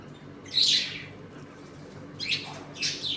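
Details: Budgies in a home colony at feeding and play time: one loud raspy squawk, then after a pause two shorter harsh chirps, with a quiet room behind.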